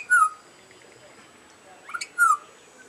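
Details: Butcherbird chirping for its dinner: two short, clear whistled notes that slide downward, spaced about two seconds apart, with a faint high rasp between them over quiet background hiss.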